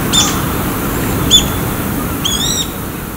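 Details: A feral Chinese Hwamei, descended from escaped or released cage birds, in a park in Japan gives three short, clear whistled phrases about a second apart, the last a longer wavering whistle, over a steady low traffic rumble.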